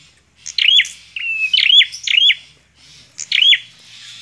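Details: Bar-winged prinia singing vigorously: loud sharp notes leading into curved, swooping whistles, phrases tumbling close together, in an otherwise quiet setting.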